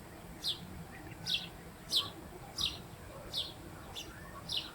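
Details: Western jackdaws from a colony nesting in an old Roman quarry: short, sharp, high calls given one at a time, about six in under five seconds at an uneven pace, over a faint low rumble.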